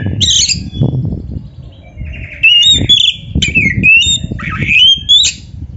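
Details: Oriental magpie-robin (kacer) training song: a run of sharp, bright whistled notes and downslurred sweeps, some phrases ending in a high rising whistle, with a steady low murmur of background noise.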